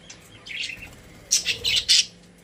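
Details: Caged pet budgerigars: one soft high chirp, then a tight run of four loud, bright chirps in quick succession, with a faint electrical hum in the room.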